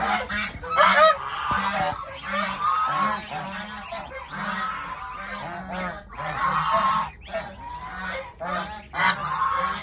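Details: Goose goslings offered for sale keep up nearly ten seconds of busy, overlapping, rough-toned calling from many birds at once. The chorus swells and dips every second or two, with a faint steady hum beneath.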